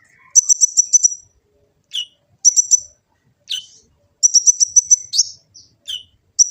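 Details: A sunbird known locally as kolibri ninja, recorded with an Android phone in Gresik, East Java, repeats bright rapid trills at a very high pitch. Brief sharp chirps and slurred notes fill the gaps, against a clean, quiet background.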